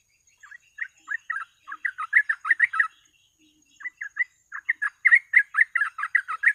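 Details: Sooty-headed bulbul lure song in gacor ropel style: two bouts of quick bubbly chirping separated by a one-second pause, notes accelerating into dense chatter, with faint higher overtones and a quiet steady whine.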